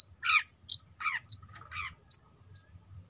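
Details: Juvenile long-tailed shrike singing actively, mixing buzzy grating bursts with short, piercing whistled pips at irregular intervals of about half a second, against quiet low background noise.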